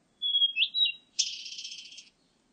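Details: Blue-and-white flycatcher giving its song: smooth whistled notes that rise and fall, then a harsh, buzzy, drawn-out burst of nearly a second that ends the phrase.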